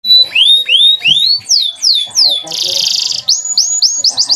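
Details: Male canary singing a clear tutor song for young canaries: a series of slurred rising whistles, a harsh buzzy rattle lasting under a second, then fast rising notes repeated in a quickening roll.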